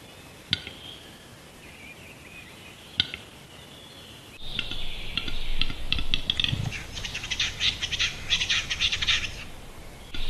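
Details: Western capercaillie displaying at a lek; a few well-spaced dry clicks, then a sudden run of rapid knocking and hissing scraping notes that continue for several seconds.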